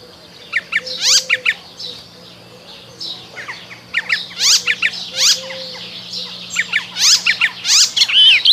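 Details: Spring song of an Icterine warbler in three bursts of fast, steeply falling high notes, harsh and chattering, with short pauses between and a faint low hum underneath.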